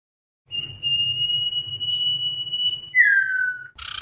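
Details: Common iora lure song for calling the flock. After a brief silence comes one long, pure, level whistle, then a downslurred whistle, and the start of a harsh buzzy rattle.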